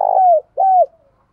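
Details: Spotted dove lure bird calling to wild doves: two drawn-out coo notes, each rising slightly then sliding down, the first louder and rougher.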